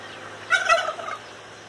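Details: Pet turkeys kept together while playing; one short, rattling gobble with a quick throaty warble, about half a second long, over quiet background.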